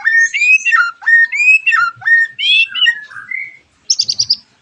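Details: Lure song of a white-rumped shama, meant to make other shamas sing along: loud, rich whistled phrases slurring up and down, a few quick warbles, then a brief pause and a rapid high trill.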